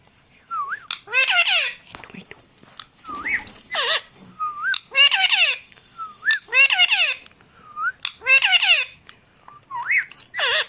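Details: Pet parrot talking: repeated short speech-like phrases mixed with harsh, buzzy squawks, each burst about a second long and returning every couple of seconds, with a rising whistled note before several bursts.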